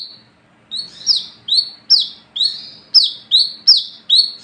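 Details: Olive-backed sunbird (wiceh, kolibri kelapa) singing at night in lively gacor ngalas ngeplong style, used as a lure to call other sunbirds: one steady high note, then sharp, high, down-slurred notes repeated about twice a second.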